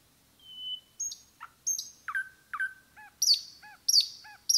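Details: Common nightingale in woodland giving drawn-out whistles, slurred falling notes and paired looping chirps in a slow, deliberate sequence.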